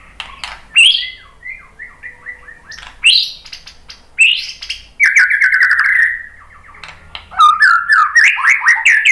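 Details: Varied white-rumped shama song meant to set other birds singing: loud separated phrases of rising whistles and quick chattering runs, then a sustained level whistle and a rapid warbling close.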